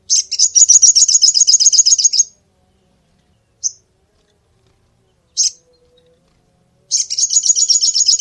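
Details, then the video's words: Little spiderhunter singing two long runs of rapid, evenly spaced piercing chips, with two single notes in the quiet gap between them. "SUARA BURUNG SOGOK ONTONG"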